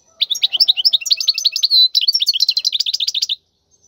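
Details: Wild European goldfinch song, played for teaching young goldfinches to sing: a quick run of liquid high twitters and chirps with a short steady whistled note in the middle, lasting about three seconds over clean silence.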